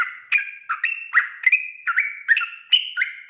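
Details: Sooty-headed bulbul in a fast-paced ropel-style song used as a lure to make wild birds answer; bright two-toned whistled notes, each with a sharp clicky start, repeated about every half second in a continuous chatter.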